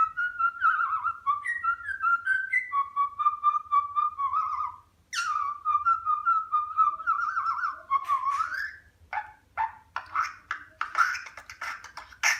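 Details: A budgerigar warbles in wavering whistles, then breaks into clicks and scratchy bursts, seemingly beatboxing.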